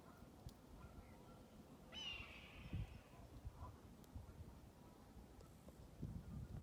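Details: A red-tailed hawk calling while it hunts gives one hoarse, raspy scream that slurs downward over about a second, against a steady low rumble of wind.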